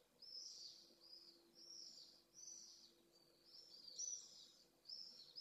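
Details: Pallid swifts (Apus pallidus) at a nest in Jerez de la Frontera, two birds meeting at the nest, filmed from above by a remote-controlled camera; harsh buzzy high screams in drawn-out bursts, about six in five seconds, with a faint steady low hum.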